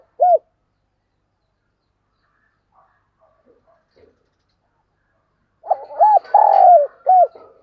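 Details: Morning decoy spotted dove: one lone hooked coo, a quiet gap with faint sounds, then a full deep cooing phrase partly blurred by rustling and high chatter.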